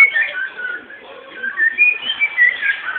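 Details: A pet cockatiel from home breeding whistles a soft run of gliding notes, quieter at first and then brighter, repeated rising and falling phrases.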